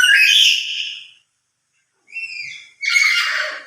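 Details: Loud lory call, voiced when the bird is emotional and stronger when it is kept alone: a long harsh screech that fades out, a short pause, then two more grating squawks in quick succession.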